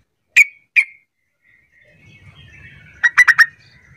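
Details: Sooty-headed bulbul calling so that silent bulbuls join in and reply: two sharp chip notes, a soft pause with faint low rumble, then a quick bubbly run of four notes.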